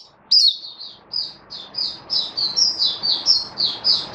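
An Oriental white-eye sings a rapid, high, sweet twittering run of short slurred notes, about three per second, growing louder and steadier toward the end.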